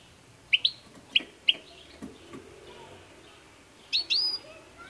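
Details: ['Goldfinch giving crisp, rising chip notes in pairs, then a longer bright, slurred call after a pause.']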